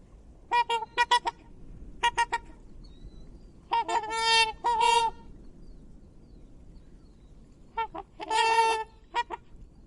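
A swan gives loud, nasal trumpeting honks, in quick pairs and triplets and some longer drawn-out blasts, with a low rumble of background noise between calls.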